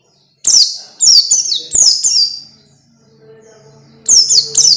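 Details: Orange-headed thrush training song (masteran) meant to get young birds singing quickly and often: clusters of sharp, high downslurred whistles, two or three at a time, separated by pauses, with a faint low hum between phrases.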